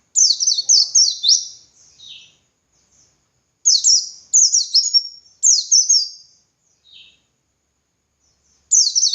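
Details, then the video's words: White-eye of the pleci dakun type singing in the ngalas style as a training model for other birds: rapid high cascades of sharp descending chirps in four bursts, with brief quiet gaps and an occasional lower note. "Masteran Suara Burung Pleci Gacor Ngalas Nembak Buka Paruh"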